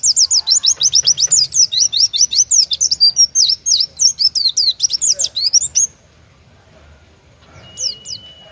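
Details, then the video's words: Rapid 'tembakan' song of an Oriental white-eye, the style judges prefer: a dense string of thin, high, downslurred notes for about six seconds, then near silence with a faint steady tone and a last pair of chirps. "Burung pleci gacor, tembakan paling di sukai para juri❗oriental white-eye/gacor pleci bird"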